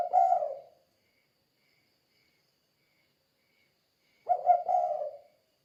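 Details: Spotted dove calling in the 'kuk 2' style used to lure other doves: two mellow, breathy coo phrases about four seconds apart, with quiet between them. No other noise.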